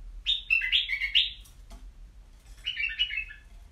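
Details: White-eared bulbul kept in a cage gives a rapid, rich warbling phrase of descending notes, a brief pause with a soft knock, then a quieter, shorter bubbling phrase.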